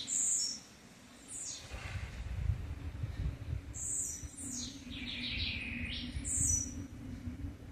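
A blue-black grassquit gives short, very high buzzy bursts with sliding notes, repeated roughly every two to three seconds over a low rumbling hum.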